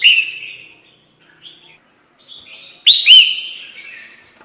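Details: Red-whiskered bulbul call used as a lure for trapping: bright whistled notes with a rising-falling inflection, then a short gap and a loud pair of sharp, slurred phrases trailing into softer warbles.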